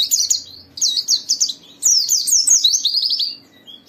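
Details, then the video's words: White-eye song used to prompt other white-eyes to open their beaks and sing: rapid high chattering twitters in two bursts, a brief pause between, ending with a short thin whistle. "Suara burung Pleci ini Ampuh memicu semua Pleci cepat Buka Paruh dan gacor"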